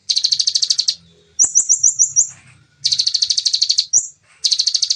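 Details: Bar-winged prinia giving its fast, dense 'nembak' firing song, recorded clean: rapid buzzy chattering trills of about fifteen high notes in bursts near one second long, alternating with a quick series of thin upslurred chips; faint low rumble underneath.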